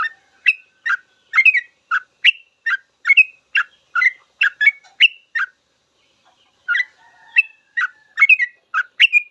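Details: Full song of a sooty-headed bulbul for training captive birds; a fast, rhythmic chain of rich whistled notes for about five seconds, a pause with faint sounds, then renewed bubbly phrases.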